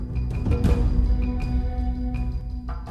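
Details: Dark, low background music with drum-like thuds and sustained tones; no animal voice is heard.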